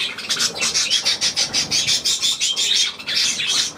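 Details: Budgerigar making quick bright chirps and short squawky notes, about three per second in an uneven run, with thin whistled tones threaded through the chatter.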